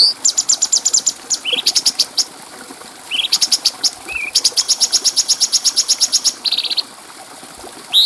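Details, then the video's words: Bulbul singing with a clear voice, recorded for training other birds. Long runs of fast, high, evenly pulsed chirps, about three per second at times, are broken by short rising whistles and a brief twisting note. Quiet pauses fall between phrases. "Masteran Burung Cucak Cungko Suara Jernih"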